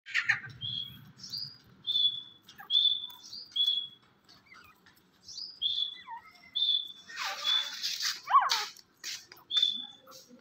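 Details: Grey francolin, the desi teetar, calling: a series of loud, clear whistled notes, each a quick upward flick into a level tone, repeated about once a second, with scattered chirps and a brief burst of noise partway through.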